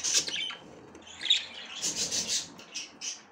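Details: Female budgerigar inspecting the nest for the first time: a harsh high squawk opens, followed by a run of rapid, scratchy, buzzy notes in quick succession.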